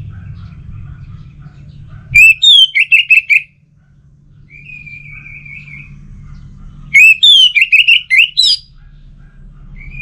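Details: Lure song of an orange-headed thrush for a home-kept bird: two loud bursts of quick, sliding whistled notes, separated by a softer, steady high whistle, over a low hum.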